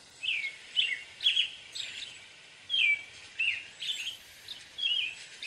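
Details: American robin singing: clear, whistled phrases that rise and fall, delivered in short separate bursts of two or three notes about once a second, over a faint steady background hiss.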